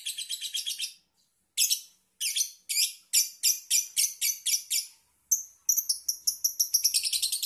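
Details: A young lovebird in captivity gives bursts of fast, scratchy, high chattering notes, broken by short silences, then a longer run of quick buzzy chirps speeding up toward the end.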